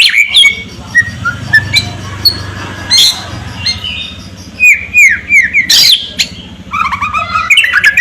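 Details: White-rumped shama song in 'ngerol kasar' style with harsh 'kretekan setan' crackling: loud varied phrases mixing clear whistles, squawky notes, sudden harsh bursts and quick descending slurred notes repeated in a short run.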